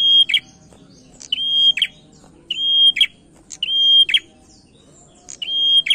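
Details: Male prinia singing, used as a lure to prompt other birds to sing: five quick phrases, one about every second, each a steady high thin tone ending in sharp, snapping clicks, over a faint low hum.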